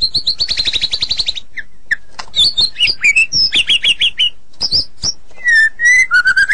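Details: White-rumped shama singing richly: a fast trilled opening, then varied whistled and chattering phrases jumping in pitch, ending with clear descending slurred whistles, delivered without pause.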